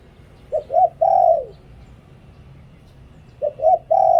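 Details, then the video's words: Lui-tan style cooing from a decoy dove: quick paired notes leading into a sustained, downward-gliding coo, the phrase starting again near the end. "หลิ่วตัน เสียงต่อนกเขาเสียงชัด"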